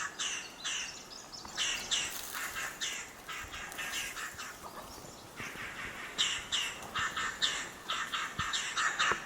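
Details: Several Sickle-billed Vangas in Kirindy's dry deciduous forest, western Madagascar, give harsh, grating alarm calls, usually meaning a predator is near, in quick overlapping bursts with a louder flurry near the end, and lemurs flee in panic.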